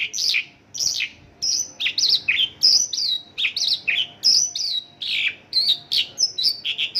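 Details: Isian lokalan singing from a Mongolian lark, copying local birds: sharp, high, downward-slurred chirps in rapid bursts, broken by short pauses and a few long, level whistles.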